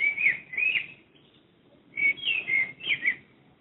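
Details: Common blackbird singing near a house in Madrid, recorded from a window; two rich fluting phrases open, a silent pause follows, then a longer warbled phrase with rising and falling whistles.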